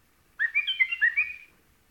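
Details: A single rich whistled phrase from a white-eared bulbul, about a second long, made of several quick warbling notes rising and dipping in close succession.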